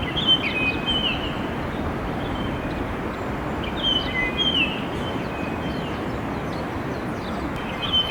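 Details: Wild Japanese grosbeak giving its clear, beautiful song, rendered as "kee-ko-kee": clear whistled phrases of sliding notes near the start and again midway, with a fainter phrase at the end, over a constant low rumble like distant traffic.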